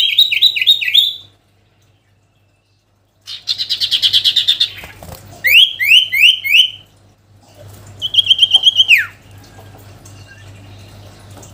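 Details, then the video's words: Sooty-headed bulbul song used to draw a rival: bursts of fast, repeated high chirped notes and buzzy rattles, separated by silences, ending in a quick descending slurred phrase over a faint low hum. "SIRTU GACOR MEMANGGIL LAWAN‼️ Suara Asli Alam Durasi Panjang"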